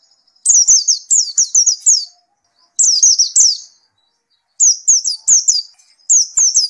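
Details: Bursts of four to six rapid, high, downward-slurred notes from a white-eye after therapy, separated by pauses of about a second.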